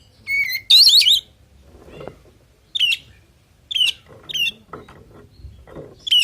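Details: Male oriental magpie-robin song full of varied fill notes, meant to call rivals into answering: level whistles near the start, a loud harsh rasping burst, then short upslurred chirps repeated at intervals, with faint low rumble between phrases.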